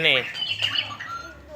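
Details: {'text': 'Lovebird giving the long chatter known as ngekek panjang: a harsh squawk with stacked harmonics, then scratchy rapid chattering notes that fade over a second and a half.'}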